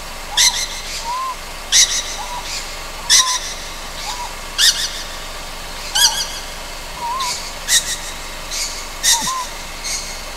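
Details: Young Ryukyu scops owl on Amami Ōshima at night: a long series of about eight rough, hissing rasps, fairly evenly spaced, each followed by a soft, short whistle.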